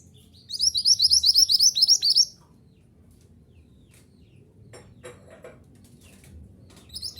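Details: A mantenan gunung, recorded to teach caged birds to sing, delivers a quick, evenly spaced string of high, slurred chirps for under two seconds, followed by near silence, faint clicks and a brief final chip.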